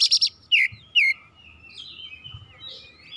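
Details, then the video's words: Oriental magpie-robin singing in an excited state, pouring out its repertoire: three harsh chattering bursts, two loud downslurred whistles, then faint wavering warbles trailing off. "KACER GACOR MEMANAS NAIK EMOSI BONGKAR ISIAN"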